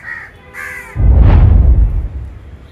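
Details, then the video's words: Crow giving one harsh, hoarse caw lasting about half a second, heard around the house; a brief musical tone just before it, over a low rumbling background. "இது காகத்தோட சத்தம்னு நமக்கு நல்லாவே தெரியும்."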